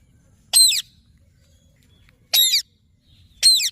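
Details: Green ring-neck parrot giving three sharp, harsh screeches, each a split second long, spaced unevenly over a few seconds against a quiet background.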